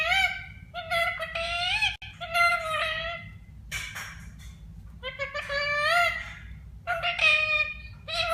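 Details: Talking parrot in India utters a string of clear, speech-like phrases with bright, strongly harmonic voiced syllables that slide up and down, over a steady low background hum.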